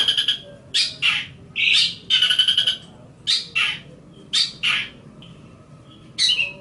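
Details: Long-tailed shrike song used as a master recording for training other birds: harsh, scratchy broadband bursts, some trilled, separated by short pauses, with quieter thin notes between.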